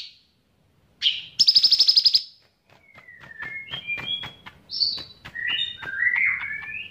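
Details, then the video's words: Bulbul trained on cicilin songs: a sharp high note, then a quick rattled trill, followed by varied lower whistled slurs and chirps over soft ticking. "Cucak Ranting Gacor Isian Cicilin"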